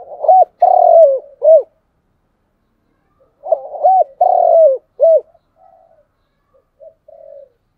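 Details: Spotted dove giving a morning lure call meant to draw wild doves near the house: two phrases of deep, rounded coos, each about four notes with a long middle coo, about three seconds apart, then faint trailing notes.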